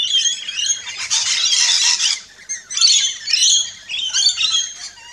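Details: Rainbow lorikeets feeding at a backyard feeding station in Australia screech loudly in long shrill, raspy squawking bouts, broken by one brief lull before the chatter resumes.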